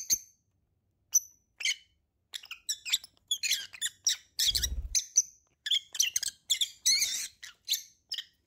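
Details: Lovebird pair produces rapid strings of piercing chirps and squeaks, growing busier toward the end, with a short low rumble midway.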